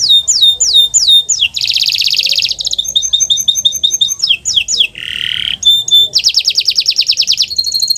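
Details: Kenari Nusantara canary song for training silent canaries to sing: varied phrases mixing downward-swooping whistles, dense buzzy trills, rapid chip series and a harsh rasping burst, changing every second or two.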